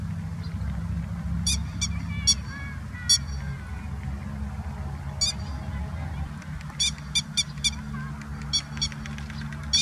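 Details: Grey-headed lapwing parent keeping watch over its chicks in Kyoto, late April: sharp, clipped metallic calls given singly and in loose clusters over steady traffic rumble.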